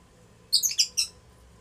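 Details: Lutino Fischer's lovebirds, a strongly bonded adult pair, mating in their house: a quick cluster of four shrill, high chirps packed into about half a second, then quiet room hum.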